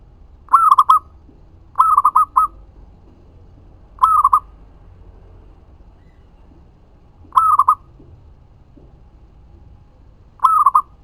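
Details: Local zebra dove repeating its song as a lure that gets other doves answering: five phrases of quick cooing notes, one phrase longer with four notes, spaced irregularly about two to three seconds apart.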